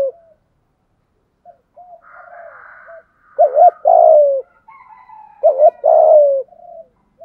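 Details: Decoy spotted dove calling to lure others, going through its full series of calls. Two clear phrases of a double coo and a long falling note, with quiet low notes and rasping higher sounds from another bird between them.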